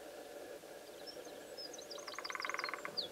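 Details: A lesser spotted woodpecker drums on a wooden pole at ESA de Castelo Branco on 16 February 2013, a brief, even roll of about fifteen rapid taps marking its territory, with high chirps from small birds and a low hum.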